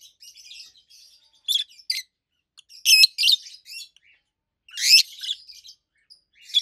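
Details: Rosy-faced lovebirds, a pair of adult pets in green opaline and pallid aqua opaline colours, calling with piercing treble chirps in irregular bursts, loudest near the middle and end, with faint twittering between.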